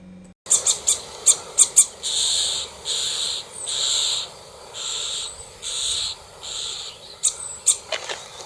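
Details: Common starling, one of a pair at the top of their nest tree, giving an alarm call: harsh, grating rasps about every half second mixed with sharp high ticks, before a raptor attacked it.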